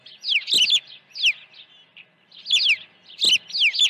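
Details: Ranch osprey nest at an early feeding, morning of 1 June 2019: shrill whistled notes slurring downward, delivered in tight groups with a pause mid-way, plus light scratching sounds.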